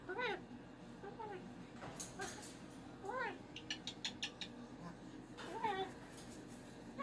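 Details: Pet cockatoo having a Monday morning meltdown indoors. It gives repeated short arched whines spaced a second or two apart, mixed with clicks and small knocks.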